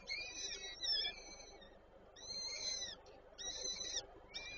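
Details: At the Warsaw Żerań peregrine falcon nest on 8 May 2023, the female feeds chicks. Several longer, thin, wavering squeals in separate bursts, with short quiet gaps between them.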